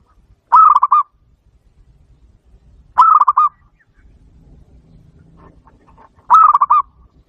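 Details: Zebra dove call used to lure birds for trapping: three rolling, trilled coos, each about half a second long and spaced two to three seconds apart, with faint low rumble between.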